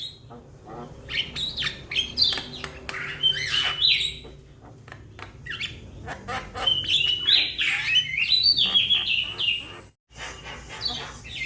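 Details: Young Javan myna calling to its companions: dense bursts of harsh chatter, clicks and squeaky whistled notes, with rising and falling phrases running almost continuously, then a brief pause near the end.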